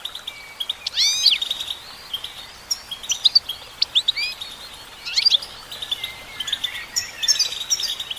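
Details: Female goldfinch singing in quick twittering phrases with sharp upward-sweeping notes and tinkling chirps, broken by short gaps, against a light hiss.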